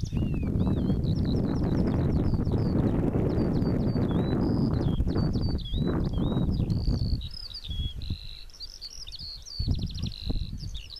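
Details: Pipit song flight over a field, May to June 2014: a rapid run of high sweet whistled and slurred notes, ending in buzzy trilled phrases as the low wind noise drops away near the end.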